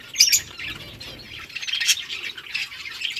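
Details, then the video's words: Lovebirds feeding on boiled rice make harsh, squawky high chirps, loudest in a burst near the start and again around the middle, over steady chattering. "Birds chirping sounds Lovebirds eating food"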